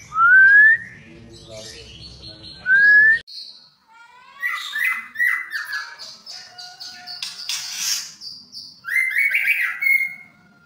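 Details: Captive white-rumped shama of the albino and blorok mutations: loud, rising clear whistles, then a varied run of warbled and chattered phrases ending in a strong upward whistle.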